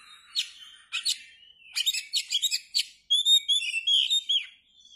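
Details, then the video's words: Oriental magpie-robin singing with tail fanned: sharp high clicks and rattling bursts, then a sweet run of clear whistled slurs and warbles, ending in a long fading whistle. "kacer gacor dor ,kacer gacor buka ekor"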